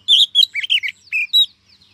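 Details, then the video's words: Oriental magpie-robin female, recorded in 2023 as a lure to stir males and trap semi-mature wild birds, gives a quick run of bright whistled and chirping notes, some slurred downward, in rapid succession. "Chòe than mái mới nhất 2023 kích trống dụ bổi nhanh ra giọng, file bẫy bánh tẻ"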